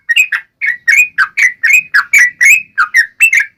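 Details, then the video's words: Yellow-vented bulbul singing in the sharp wild style meant to provoke other birds into answering, with a series of about fourteen short, clear, bubbly notes in quick succession. "KICAU SUARA trucukan gacor NGALAS TAJAM ini AMPUH SEKALI JADIKAN burung trucuk gacor SEKETIKA NYAUT"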